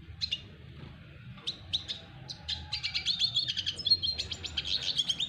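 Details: Courting a female, a double dilute red siskin gives scattered sharp chips that build into a fast, buzzy, high-pitched twittering run of rapidly repeated notes, about four per second, against faint low background noise.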